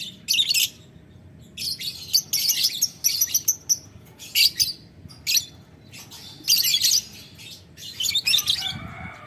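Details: Lovebird ngetik ngekek as a call to a rival: about a dozen bursts of harsh, high-pitched chatter, each under a second, spaced by short quiet gaps.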